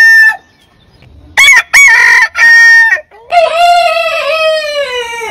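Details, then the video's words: Rooster crows, from a compilation of heritage chicken breeds; short clipped opening syllables followed by a long, steady, slightly falling drawn-out crow lasting over two seconds. "Biggest Rooster Sound Alarm - Long Roosters Crowning Suara Ayam Berkokok Panjang"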